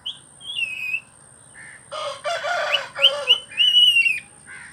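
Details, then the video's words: Talking attempt by a pet green rose-ringed parakeet: thin whistled notes, then a run of raspy, voice-like phrases mixed with higher whistles, and a final short chirp. "Talking Start 🦜 my green Ring nek parrot"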